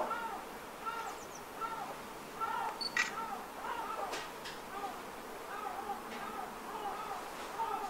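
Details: A group of female common pochards (Aythya ferina) in winter at Aiguamolls Natural Park, Spain, on 27 January 2022, give short, harsh, arched calls repeated several times a second. Camera shutter clicks sound over a steady background hiss.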